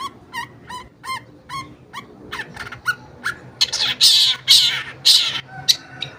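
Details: Long-tailed shrike lure song for getting shrikes that have stopped singing to join in: five evenly spaced nasal, ringing notes, then a sequence of loud, harsh, grating bursts.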